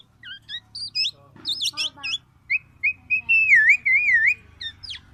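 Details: Black-naped oriole with scattered chirps and a scratchy burst, followed by loud, rolling, wavy whistled phrases repeated in succession over a low hum.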